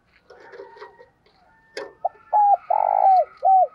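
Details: Decoy spotted dove cooing to draw in other doves. Soft rustles and a sharp click come first, then a run of loud, hollow coos: brief notes, one long drawn-out coo and a final short one.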